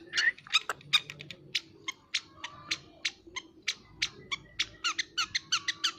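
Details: Long-tailed shrike singing a fast, varied medley of sharp clicks, chattering notes and short whistles, delivered in quick irregular bursts several times a second throughout.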